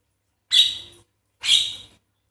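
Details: Javan myna giving two harsh, raspy, high bursts about a second apart, each half a second long and fading out; used as a lure call to get lazy birds singing. No other sounds.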